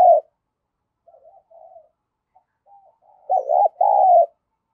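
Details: Spotted dove serving as a decoy, cooing fast in the 'thổ thúc gù' manner to entice other doves: quiet low murmurs build to a loud closing pair of hollow coos, a bent note and a sustained one.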